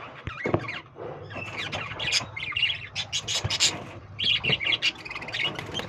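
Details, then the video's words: Lovebirds chatter with rapid, shrill, high chirps and harsh squawks in overlapping bursts, a busy continuous flock sound. "Love birds singing and chirping sounds"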